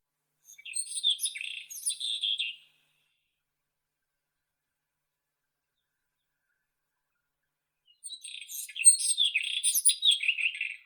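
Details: White-throated robin (Irania gutturalis) song: two scratchy, chattering phrases of rapid warbled and trilled notes mixed with thin high whistles, about two seconds each and separated by a five-second silence, on an otherwise quiet background.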